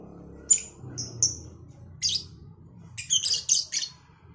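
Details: Lovebirds, Cobalt and Batman colour varieties, calling back and forth on a morning: sharp high whistled chirps and then a rapid run of harsh shrill bursts over a low background hum.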